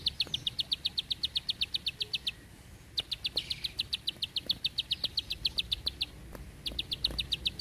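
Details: Bar-winged prinia delivering long, tight bursts of song: long, even trains of sharp, clicking double notes repeated about four per second, broken by brief pauses, with a faint low rumble beneath.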